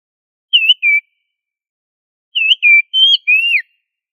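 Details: Two short phrases from an oriental magpie-robin (kacer) singing 'gacor ngobra' to train other kacer: paired wavering whistles, a pause, then four richer notes, including a falling slur. No background noise.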